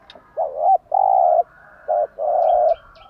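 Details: Morning song of a spotted dove used to train caged birds to coo: a wavering coo, a long flat coo, a short coo and another drawn-out coo, mellow and low, with faint thin high chirps from another bird.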